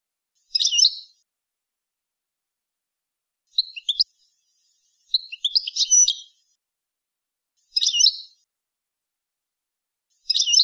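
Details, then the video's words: European goldfinch song recorded for teaching young goldfinches and hybrids, in high quality and free of faults: short, high, tinkling twittered bursts repeated every two to three seconds, with one longer chattering run near the middle; clean background, no other sounds. "لغة الحسون لتعليم وتلقين فراخ الحسون والهجين"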